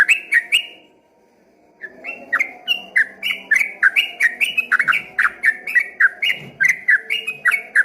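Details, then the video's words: Yellow-vented bulbul singing a busy 'ropel' song, first mistaken for a straw-headed bulbul from a distance: a few chirps, a brief silence, then a rapid run of bubbly slurred notes. "dari kejauhan di sangka suara burung CUCAK ROWO setelah dihampiri ternyata cuma TRUCUKAN ROPEL GACOR"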